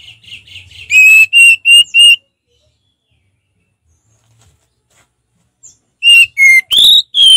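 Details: Ngeplong song from an orange-headed thrush: four loud, even whistled notes, a long silence, then four more whistles varying in pitch, the last rising and slurred.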